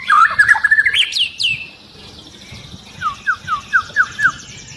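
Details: Agitated long-tailed white-rumped shama whose song sets others singing: a rapid warbled phrase with high sharp notes, then after a pause six evenly spaced clear whistled notes.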